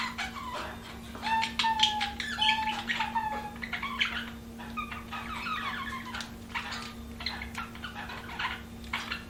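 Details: Budgerigar chatter indoors: a steady stream of warbling, scratchy chirps mixed with short clear whistled slides, continuous and varied, over a constant low electrical hum.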